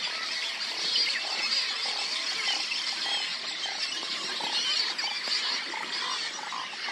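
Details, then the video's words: Juvenile Roseate Spoonbills, grown and out of the nest, chase their parents and beg to be fed at a Texas nesting site on a late-June morning: a dense, hissing, wheezy chorus of short squeals about twice a second over a constant rasp from many birds. "Juvenile Roseate Spoonbills beg to be fed"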